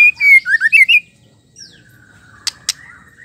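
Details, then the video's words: Female white-rumped shama singing to stir males into song: a quick run of loud, clear whistled notes that rise and fall in pitch, then fading softer warbles and two sharp clicks. "suara murai betina gacor pendongkrak emosi asli bikin gacor murai batu jantan"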